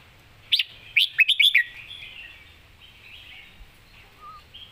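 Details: Red-whiskered bulbul, a caged competition songbird, gives two single whistled notes then a quick tumbling trio of bright, slurred whistles, followed by quiet soft chatter.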